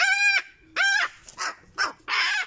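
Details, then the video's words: Male pet cockatoo screaming his head off while displaying outdoors on a warm late-November day: two loud, harsh, rooster-like bursts followed by three shorter raspy squawks, with a person speaking just afterward. "Displaying Loudly for all to hear"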